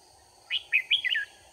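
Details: Red-whiskered bulbul, trapping session with a decoy bird on 4 March 2019: a single quick phrase of four or five bright, warbling whistled notes rising then falling, lasting under a second, with a steady high background hum.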